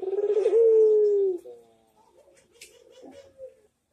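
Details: Loud, throbbing Barbary dove coo, manggung style, from a master recording for training birds: a long swelling coo with a quavering start, then a trail of softer wavering notes.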